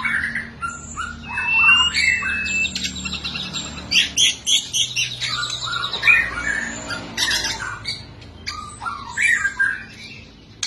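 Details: White-rumped shama, caged, in a full energetic fighting song meant for training: varied rapid bursts of chirps, buzzy notes and slurred whistles, roughly three to four phrases a second, loud and irregular.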